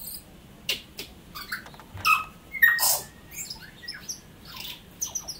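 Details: Tui, native bird of New Zealand, in song: loud mix of ringing whistled notes, harsh clicks and wheezy high squeaks, delivered in uneven bursts roughly twice a second.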